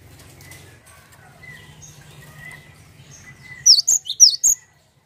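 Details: Cinereous tit, used as a lure call to set other birds calling, giving four loud, high, sharp whistled notes in quick succession, after softer repeated whistles over a faint low hum.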